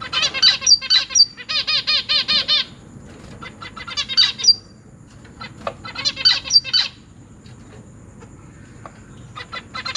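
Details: Caged zebra finch family, 12 August 2023, parents feeding three juveniles and three newborn chicks: bursts of rasping begging buzzes alternate with a run of evenly repeated nasal, harmonic notes, then scattered quieter calls.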